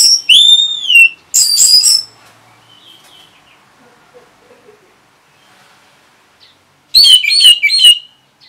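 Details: Orange-headed thrush responding to a lure sound: a loud burst of downslurred, ringing whistled notes, a short harsh phrase, then a long quiet gap before a quick cluster of bright, wavering whistles.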